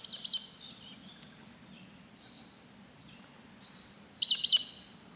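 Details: In Canberra on 29 February 2020, a female hooded robin gives two short bursts of high, thin chirping notes, about four seconds apart, with a few faint softer notes between them.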